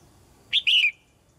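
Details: One loud phrase from a caged female red-whiskered bulbul encouraging young birds to sing: a short bright note, a split-second break, then a longer mellow whistle gliding down.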